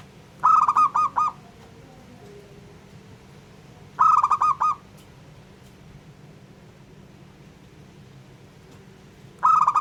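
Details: Local zebra dove song used to provoke other doves into singing: three bursts of rapid, staccato, ringing coo notes, each about a second long, repeating roughly every four seconds over a low steady hum.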